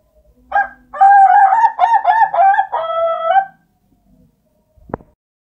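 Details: Ayam ketawa rooster crowing in a melodious style. A loud, stuttering, laugh-like crow of rapid broken syllables lasts about three seconds, ending in a steadier drawn-out note, followed by silence and a brief click.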